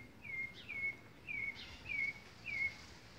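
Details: A thrush (sabiá) singing in a backyard gives five short, clear whistled notes, each slightly falling, spaced about every half second, over faint background hiss.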